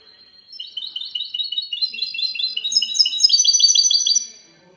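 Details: Goldfinch hybrid in clean singing style, 19 March 2020: soft opening chirps swell into rapid repeated trilled notes, climbing in pitch and loudness before fading out.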